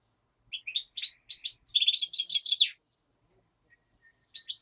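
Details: Black-headed goldfinch in daytime song, common nightingale in the background: a two-second stream of fast, tinkling twitters with buzzy trills, a pause with a faint thin whistle, then a new twittering phrase begins.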